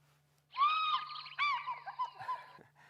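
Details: African fish eagle at Djuma, Kruger National Park, South Africa, on a sunset safari, April 22, 2016: a ringing, yelping call, a long, high, clear note then a quick run of shorter yelps, over a low steady hum.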